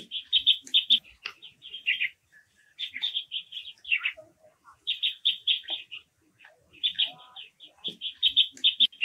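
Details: Repeated chattering call series from a Japanese waxwing: rapid strings of bright chirps, each run lasting about a second, some ending in a downward slur, with scattered faint lower notes between runs.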